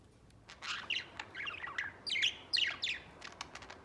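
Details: A white pet budgerigar sings a rapid warble of chirps and short buzzy notes, many sweeping downward, in dense bursts with brief gaps.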